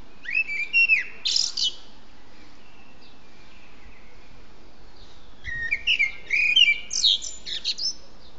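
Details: Free-living songbird singing in the wild, giving two bouts of loud, rapid, warbling whistled phrases with chirpy trills and slurred notes, separated by a few quiet seconds, over a constant low background hiss.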